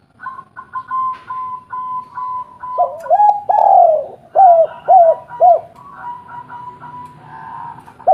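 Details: Spotted dove, a local bird singing strongly, recorded as a lure to draw replies from other doves: thin, steady higher notes repeated, then a run of loud, deep, arched coos in quick succession before the thin notes resume.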